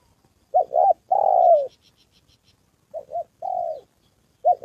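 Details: Decoy spotted dove in a training session in Gia Lai, Vietnam, during the 2 September holiday, meeting a wild male and a female: two quick low coos, then a long descending coo, repeated after a pause, with faint high ticks.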